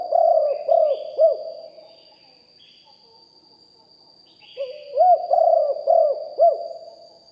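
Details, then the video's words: Spotted dove singing in the big-voice style, live recording of a decoy bird: two phrases of low coos with bouncing arched notes, the second longer, under a steady high whine. "นกเขาใหญ่คับ birds - Ep 1 เสียงต่อนกหลิ่วห้อย เสียงใหญ่#2 & 4กุกห้อยเสียงใหญ่ บันทึกเสียงสด"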